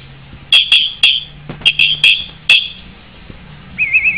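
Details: White-rumped shama giving a series of sharp, ringing repeated notes in quick bursts, then a short warbled trill at the end after a pause; faint low hum underneath.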